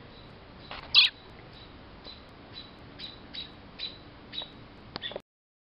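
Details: Alarmed American robins mobbing a cat near their nest, blown from a maple tree by a windstorm in South Western Ontario, June 2012; one loud harsh burst, then a string of thin high chirps roughly every half second amid wind.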